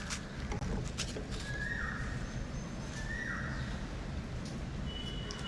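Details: An Asian koel sings outside during heavy rain with thunder. Two clear whistled notes, about one and a half seconds apart, rise above a steady roar of rain.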